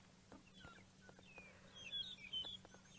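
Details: Two magpie shrikes at the top of a tree at sunrise on 5 June 2017, Djuma Game Reserve, sing their morning song: soft, clear whistled notes, then a brighter pair of fluty whistles, over a steady low hum and faint clicks.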